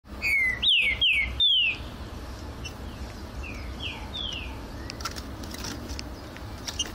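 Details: Green-winged saltator singing in an aviary: a quick run of loud, clear whistled notes, each sliding downward, four phrases in under two seconds, then softer, fainter slurred whistles over steady background hiss.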